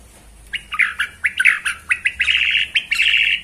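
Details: Borneo white-rumped shama in bowing ('sujud') display, giving a fast series of harsh buzzy rattling notes, roughly a dozen in three seconds, building into a continuous scratchy trill over a low background hum.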